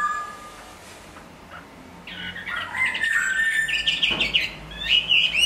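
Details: Quiet opening, then a moulting hwamei breaks into a varied run of whistled phrases and quick chattering notes.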